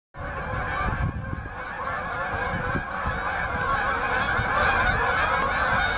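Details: Canada geese seeking open water at Bass Ponds, Minnesota, on November 23, 2013: a dense flock chorus of overlapping nasal honks, continuous and layered, with steady low rumble beneath throughout.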